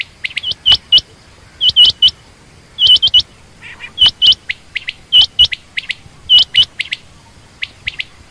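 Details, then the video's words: Female quail (common or rain quail) calling in rapid clusters of two to four bright upswept chirps, then a pause, the pattern repeated throughout. "common quail/Rain quail sound)chinga batair ki Awaz)Звук самки перепела"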